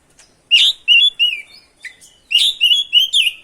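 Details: Oriental magpie-robin in full rolling song meant to provoke rival magpie-robins: two quick sets of loud, clear whistled notes, each a rapid string of slurred and sliding high phrases.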